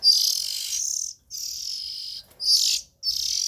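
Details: Juvenile oriental magpie-robins heard close up: a few drawn-out, scratchy hissing calls, the first two nearly a second long, then shorter ones after small breaks.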